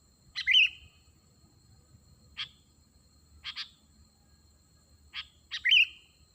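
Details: Sooty-headed bulbul used to call in wild birds, giving a few sharp clipped chirps, some doubled, with two louder bubbling trilled notes at the start and end, over quiet background.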